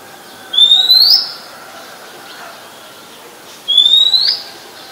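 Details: Oriental magpie-robin song recorded in Ubon Ratchathani, Thailand, 17 July 2021; two bright rising whistles about three seconds apart, each ending in a brief slurred tail, over quiet background.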